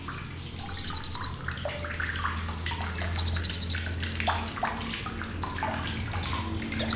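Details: Blue-crowned hanging parrot giving sharp chattering: very high, fast rattling trills of about a dozen pulses, repeated twice, over a low hum and splashing water-like noise.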